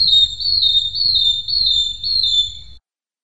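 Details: Long-tailed broadbill song, known for long melodious repeated whistles and sharp bursts: a sustained high, slightly wavering whistle, broken into four linked sections over nearly three seconds, with a low hum underneath.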